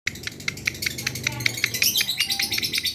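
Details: Lovebird answering at once after hearing another lovebird: a steady series of short, sharp, high chirps repeated several times a second, growing louder and denser toward the end, over a low background hum.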